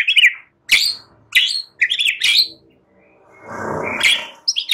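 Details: Young wild-caught White-rumped shama, just past its spotted juvenile plumage, played to spur it into full song: short bright whistled phrases sliding upward, separated by pauses, with a burst of rough broadband noise near the end.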